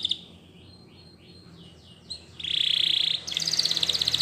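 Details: Belgian canary song: faint sliding notes, then a loud rapid rattling trill followed by a second bright pulsed trill.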